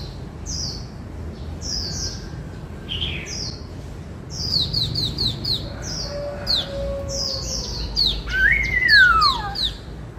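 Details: White-cheeked laughingthrush, a kept songbird, singing in the 'bắt cô trói cột' style: a loud slurred whistle rising then sliding down near the end, amid repeated high, thin chirps from other birds and low background rumble.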